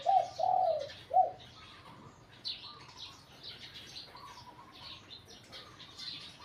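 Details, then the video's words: Spotted dove trained at home for competition, giving three low coos in the first second, then quieter background chirping from other birds and faint rustling. "นกเขาใหญ่ต่อดิน นกเขาใหญ่ เสียงนกเขาใหญ่"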